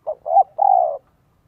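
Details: Single phrase from a spotted dove decoy in the 'son 1 cốt' style, kept to lure wild doves in Vietnam. A brief note, a rising coo, then one long steady mellow coo.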